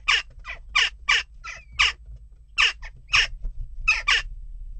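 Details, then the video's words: Western jackdaws restless at a nest box, giving short, harsh, metallic 'tchak' calls in irregular bursts of one to three notes, with low rumbling background noise throughout. "Onrust blijft door--kauwen"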